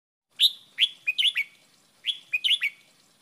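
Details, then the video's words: Red-whiskered bulbul training song in the wild 'double' style: two bright whistled phrases, each of four to five quick slurred notes falling then rising, clean and loud with no other sounds. "เพลงป่า เบิ้ลเบิ้ล เสียงฝึกร้องนกกรงหัวจุก"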